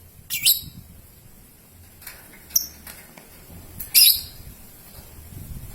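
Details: Young lovebird used in a lure recording for long ngekek and ngetik song; a couple of loud, shrill chirps with softer high ticks between them against light background noise.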